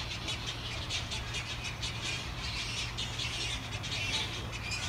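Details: Urban egret colony in cedar trees near apartments in Daegu, South Korea, 2016, birds displaced after their nest trees were felled. Continuous rasping squawks from many birds, irregular bursts several per second, with constant low city rumble beneath.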